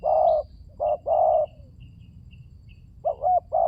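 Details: Spotted dove used as a lure recording to coax silent doves into calling: low, hoarse coos in pairs, a short note then a longer drawn-out one, with faint thin high whistles from other birds behind.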